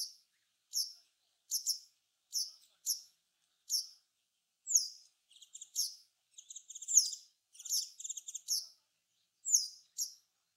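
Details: Japanese wagtail in Japan, a bird of fields, grassland and waterside, giving sharp, high chirps, then a buzzy twittering run of mixed notes; background quiet.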